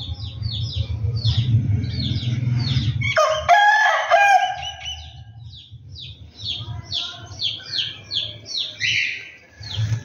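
A rooster gives one loud, harsh crow lasting under a second, set among a steady run of high chirping from small birds and a low background rumble.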